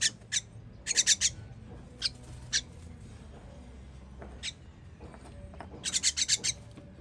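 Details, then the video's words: Chicks being fed, 21 June 2023: a rapid volley of scratchy begging notes opens, scattered single rasps follow, and a final run of six quick harsh calls ends it. "Baby bird baby bird feeding"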